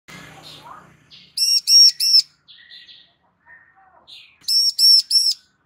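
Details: Female bar-winged prinia calling to draw a male into answering: two bursts of three sharp, high, ringing chirps in quick succession, separated by softer scattered twitters, with faint low rumble at the start.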